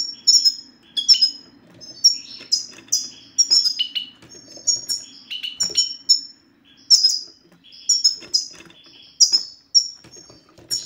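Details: Male European goldfinch 'sitsta' recording used to get silent males singing: a lively, almost continuous stream of high, thin, downward-slurred chirps and liquid twitters in irregular clusters, with a faint background hum.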